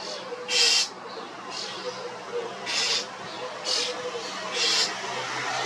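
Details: Common starling (European starling) giving loud, harsh, hissing screeches, five broad noisy bursts spaced about a second apart over a faint background hum.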